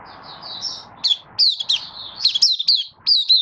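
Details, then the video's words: Caged Malaysian Oriental white-eye (mata puteh) in minor moult and building form, giving its opening 'buka' song, 24 August 2023; thin, high chirped notes with quick down-slurred sweeps come in rapid bursts after a second of faint low background hum. "Malaysian Mata Puteh Buka Sing"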